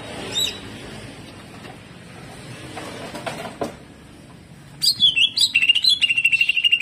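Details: Faint background rustle and a distant chip, then the greater green leafbird bursts into a loud jamtrok phrase of rough 'tembakan kasar' shots: quick high chips followed by a rapid, pulsing series of slurred whistles.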